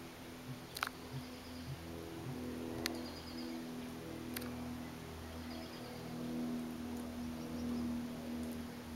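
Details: Male Sooty Grouse booming in a Douglas-fir in southern Mendocino County, Dry Creek watershed, about 2 miles north of the Sonoma County border. Soft, very low whoofs come in a short series early on, then fade, with scattered sharp clicks and a steady hum.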